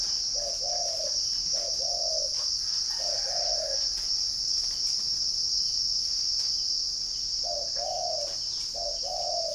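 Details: {'caption': 'Spotted dove in Ba Vì, Hanoi, northern Vietnam: three soft coos, a pause of several seconds, then two more, while a shrill steady insect chorus fills the background.'}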